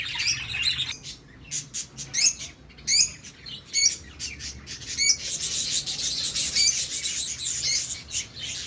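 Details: Birds chirping with sharp separate tweets at first, then a dense high shimmering twitter filling the second half.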